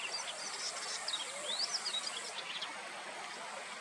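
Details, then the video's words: A male Icterine warbler on its second nesting attempt sings from a treetop in the Haradnichanka river floodplain, Hrodna, western Belarus, on 9 July 2023: thin, high, slurred whistles and quick twittering phrases, half-buried under steady background hiss. "Icterine warbler going up while singing"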